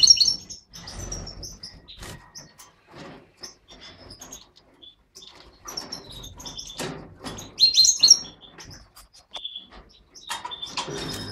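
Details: An aviary pair of mutated European goldfinches, a satiné male and a yellow parva female, give bright, high twittering calls and short liquid trills in scattered bursts, with clicks and rustling between them.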